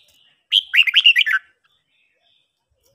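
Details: A single brisk phrase from a red-whiskered bulbul being trained to sing in the morning: about eight rapid, bouncing whistled notes, then silence and a click.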